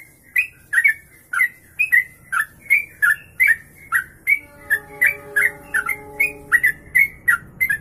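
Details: Sooty-headed bulbul singing a long kongslet ropelan, used as master audio: quick run of chirped, down-slurred notes about twice per second, with steady humming tones in the background during the second half.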